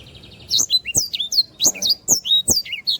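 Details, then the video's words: Lively black-throated canary song for training other cage birds. A faint buzzy trill opens, then rapid, high, sliding whistles and sharp chips follow one another without pause. "sanger gacor. masteran burung"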